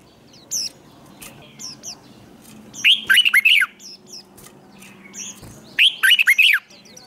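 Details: Red-whiskered bulbul competition song used for training, in the 'twisting voice' style: two bright, tumbling warbled bursts of rapid downward-sliding notes about three seconds apart, with thin high chirps scattered between them.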